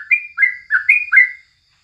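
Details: Brief morning phrase of a crucukan (yellow-vented bulbul): four quick rising-then-falling whistled slurs in under one and a half seconds, then silence.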